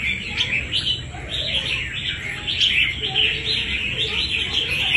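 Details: Wild-caught red-whiskered bulbul used in fighting contests, chirping continuously in quick, bright notes and rising warbles with a steady high hiss behind.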